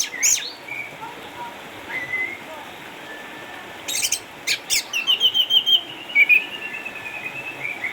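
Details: Caged eight-year-old orange-headed thrush from Sukabumi, a former champion now kept at home because of cataracts, still singing actively. It gives scattered high whistles and buzzy notes, ending in a quick run of rapid repeated chirps.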